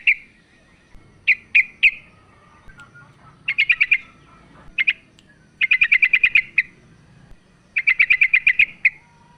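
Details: Female sooty-headed bulbul calling the male, used as a lure to make a quiet bulbul call more. Bright chattering bursts of rapid, evenly spaced notes, lengthening from single chirps to runs of about eight, separated by short pauses.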